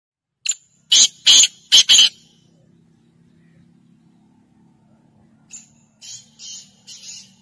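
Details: Black francolin, the Sindhi kala teetar: four loud, harsh, grating bursts follow one another quickly over about a second and a half. After a pause come quieter, similar notes near the end. A low steady hum runs underneath.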